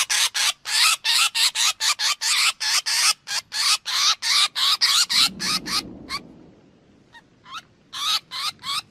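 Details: Black drongo calls recorded in 2021 as a lure for trapping: a loud, fast series of rasping notes for about five seconds, then fading to a few scattered quieter notes.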